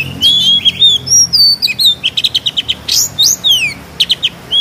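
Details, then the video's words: Oriental magpie-robin owned in Kudus, its song filled with sparrow and kingfisher mimicry: pure whistled slurs followed by a run of short evenly spaced chips and descending sweeps, over faint low hum. "KACER GACOR FULL NEMBAK ISIAN MEWAH ,GEREJA TARUNG TENGKEK"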